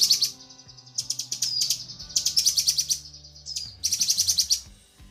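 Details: Female cucak kinoi calling the male, recorded as a tutor track for training birds: loud, rapid buzzy chattering bursts, high and harsh, broken by short thin whistles and brief pauses, over faint low steady tones.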